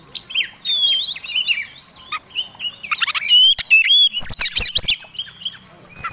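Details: Oriental magpie-robin (kacer) singing its fighting song, an intense, insistent style used as a lure to provoke other birds; varied whistled and chattering phrases with sharp slurred notes and rapid clicks and buzzy bursts, densely packed, with no other sounds.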